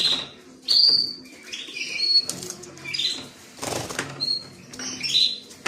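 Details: A creamino canary gives short bright whistled phrases and rising slurs, interrupted by broad rustling bursts like wing flutters or cage movement.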